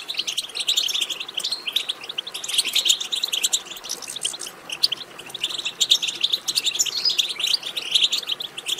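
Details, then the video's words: Continuous bright twittering of European goldfinch meant to excite a goldfinch into song: rapid, jumbled, tinkling chirps and buzzy trills, steady throughout with small swells. "بتبتة ماهرة في تحفيز الحسون على التغريد"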